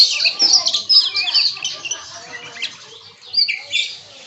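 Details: An Oriental magpie-robin (kacer) sings bongkar isian: a loud opening flurry of shrill whistles and chatter, then quieter scattered notes and a final pair of rising whistled phrases, with other birds nearby.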